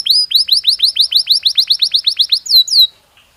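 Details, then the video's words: Belgian canary singing, offered as a daily training stimulus: a fast series of about sixteen bright, rising, whistled notes in under two and a half seconds, closing with two longer, higher, sliding notes, then quiet. "Canario Belga Cantando Naturalmente"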